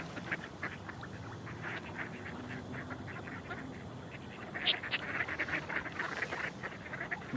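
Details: Mallards in the UK in late October quack in a busy, rapid run of short, harsh nasal calls, several overlapping, over a steady hiss of background noise.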